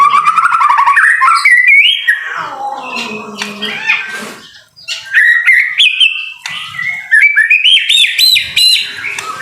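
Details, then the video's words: White-rumped shama (murai batu) singing vigorously in the rain, a masteran recording: loud whistled phrases, a rapid rippling run, then a falling slur, a short pause, and bright rising and jumping whistles. "BIRD SOUND IN THE RAIN SUPER SPECTACULER / MASTERAN MURAI BATU GACOR"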